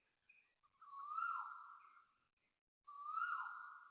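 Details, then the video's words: Asian koel calling loudly at dawn, 6.13am on 13 November 2025 at Toa Payoh Lorong 8, Singapore: two long, loud vibrato notes swelling and falling, with softer chipping notes in between. "Loud Vibrato Koel birds and fake chipping noises"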